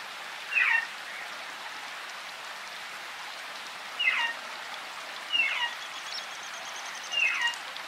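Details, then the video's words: An African grey parrot in the forest gives four short whistled calls, each sliding sharply downward, spaced one to three seconds apart, over a steady hiss of rain. "African grey noises in the wild -African grey parrot in the forest birds chapping and rain sound"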